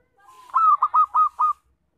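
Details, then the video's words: Local zebra dove, a loud singer used as a lure for trapping: a soft low lead-in, then four strong, evenly spaced cooing notes at a mid pitch, each slightly rolling, over about one second. No other sounds. "Suara Perkutut Lokal Kencang, Bagus Buat Pikat dan Pancingan"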